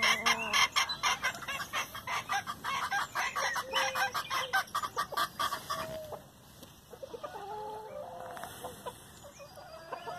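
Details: Flock of chickens crowding over leftover hamburger buns, with loud rapid pecking clicks for the first six seconds, then softer clucks and short rising and falling tonal calls.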